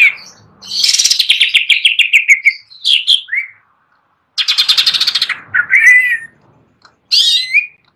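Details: Greater green leafbird singing on its perch: loud, rapid bursts of high, buzzy chattering notes that slide downward, mixed with clear whistled phrases and short pauses.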